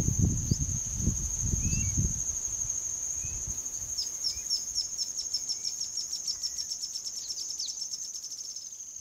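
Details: Straight-billed Reedhaunter song in Uruguay, December 2014: a high, dry trill that speeds up into a fast rattle over about five seconds, over a steady insect whine and low wind thumps at first.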